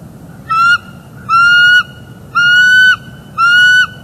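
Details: A nesting bald eagle in northeast Florida repeats a sustained, slightly rising, nasal squeal four times, roughly once a second, on a December 2021 morning during a mating break, captured by live nest cam.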